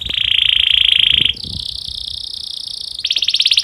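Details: Domestic canary in breeding condition, singing to stimulate other canaries: a loud sustained trilled tone, then a higher rolling buzz, ending in a quick pulsed rattle, with faint low background noise.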